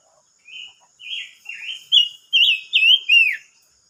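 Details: Silver-eared mesia song from 25 May 2022: a phrase of about seven clear whistled notes that grow louder, the last ones slurring down in pitch, on a quiet background.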